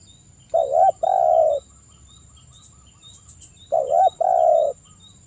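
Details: Spotted dove singing as a lure to call a rival, an emotional, persistent singer: two low mellow phrases about three seconds apart, each a short coo then a longer rolling coo, over a faint steady high whine.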